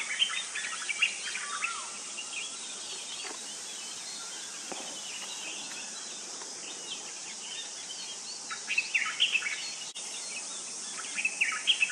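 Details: A shy White-browed bulbul calling in the open gives bursts of quick, bubbly chirps and short warbled notes, over a steady high insect hiss with other small birds chattering.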